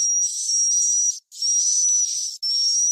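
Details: Swiftlet call used to draw birds to roost in a farmed nest house: an unbroken high, hissy twitter carrying a fine level whistle, cut by two brief silences.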